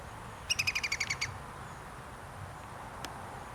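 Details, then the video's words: Iberian green woodpecker calling on 2 July 2022, a fast laughing series of about eight ringing notes that slightly descend, delivered in under a second, amid a low background rumble. "Green woodpecker chirping 2: PIL-PILEAN"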